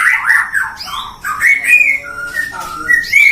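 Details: Captive-bred white-rumped shama in Depok, Indonesia, singing loud and full-voiced: a busy stream of whistled slurs and warbles, a short pause, then more sustained clear whistles.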